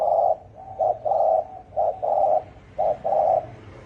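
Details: Quick-paced 'thổ ồm' call of a spotted dove, meant to provoke 'thổ đồng' birds: a long coo, then three short-long coo pairs in a steady rhythm, deep and slightly rough in tone.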